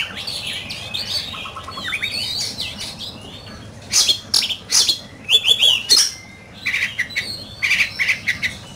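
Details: Oriental magpie-robin in a singing competition, opening with soft quiet warbling and twitters, then louder sharp whistled notes and chirpy phrases in bursts over the second half.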